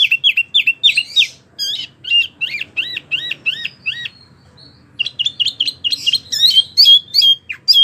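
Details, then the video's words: Wambie mini in full, energetic song for tutoring competition birds: quick runs of sharp, down-slurred high whistles, several each second, broken by a brief pause before another rapid burst. "wambie mini super gacor"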